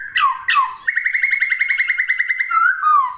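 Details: Laughingthrush (poksay) song: two sharp falling whistles, then a rapid, even trill of bright notes, closing with slurred descending whistles.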